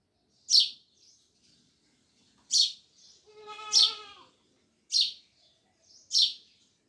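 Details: Sparrows giving loud chirps, five piercing cheeps spread over several seconds, with a longer nasal, overtone-rich call rising and falling in the middle.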